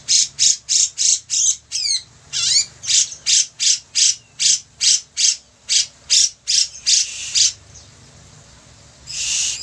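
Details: Grey-cheeked bulbul (Alophoixus bres), song.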